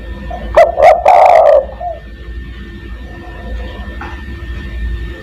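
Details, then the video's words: Spotted dove call for luring other doves: quick kuk-kuk then a long rasping coo near the start, distorted by loudness, followed by quiet hum. "burung DERKUKU tekukur master gacor kuk 1 sangat mewah untuk memanggil teman"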